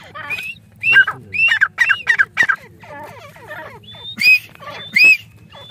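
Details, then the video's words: Caged grey francolins calling back and forth with another francolin that appeared nearby: loud, harsh, rising squawks in quick bursts of three to five, with sharper clipped notes near the end and a low hum underneath. "Gray Frahcolih voice silver teetar | تیتر کی آوازیں"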